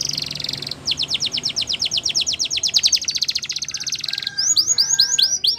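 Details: Canary singing: a fast rolling trill of sharp descending notes repeated about eight times a second, followed by a slower series of looping, upslurred whistles, loud and clear with no other sounds.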